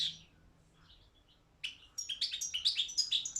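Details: Competition goldfinch, subspecies balcanica, recorded for a Serbian-run world goldfinch song championship; a short high twitter, then a pause, then a lively burst of rapid chattering notes and tinkling trills from two seconds on.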